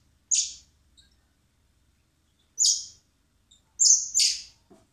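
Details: Springtime begging from common blackbird chicks fed by hand in a recovery centre before being freed: three spaced high, hissy squeals, the last a doubled squeak-and-rasp, with quiet low rumble beneath.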